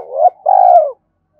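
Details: A single spotted dove coo phrase used as a lure: a short rising hoot followed by a longer, steady, mellow coo that fades away.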